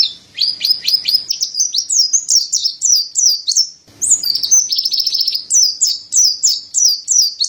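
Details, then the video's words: Mountain white-eye (white-breasted white-eye, Montanus) in full song: an energetic stream of high, squeaky whistled notes with quick up-and-down slurs. One short gap is followed by a buzzier stretch, then more rapid twittering. "Terapi Burung Pleci Dada Putih Gacor | Masteran Pleci Montanus"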